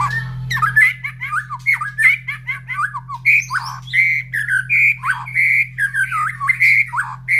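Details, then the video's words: Caged White-rumped shama singing in the morning after feeding, beside other breeding birds answering: loud, rapid, rich whistled notes with sharp upward flicks, repeated nearly once a second in a lively stream, with faint low hum at the start. "Suara Murai Batu Gacor"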